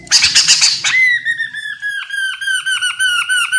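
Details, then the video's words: Chestnut-capped laughingthrush singing energetically, played to lure others of its kind into answering: a harsh chattering burst leads into a rapid series of loud clear whistled notes, each dipping briefly, repeated about four times a second. "Poksay Genting Gacor Full,Semua Jenis Burung Poksay Mandarin Langsung ikut Nyaut"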